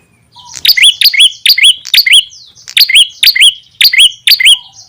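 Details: Ashy tailorbird calls used as a bird lure: a rapid series of about a dozen bright, upward-hooked chirps, mostly in pairs with high clicking overtones, briskly repeated without pause.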